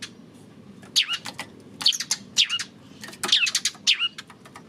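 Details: Eurasian tree sparrow recorded 28 May, uttering a series of loud, downward-slurred cheep notes in irregular clusters about every second, with brief silences between groups.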